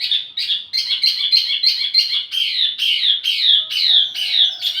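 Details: Wambi mini, a songbird used to lure and tutor flowerpeckers, delivers a steady series of bright, buzzy, downward-sweeping chirps, about two per second, growing broader and harsher toward the end.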